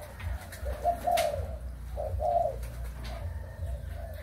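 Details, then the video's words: Spotted dove, Malaysian and Thai breeding stock, 23 August 2021: two soft swelling coo phrases about a second apart, with quieter notes around them and a constant low hum. "cu gáy sinh sản malaysia và thailand"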